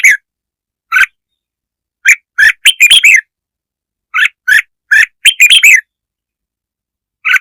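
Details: Provoking song of a red-whiskered bulbul: spaced single chirps alternate with quick bubbling runs of bright warbled notes, the phrase repeated twice. A lone chirp comes at the end. The background is silent.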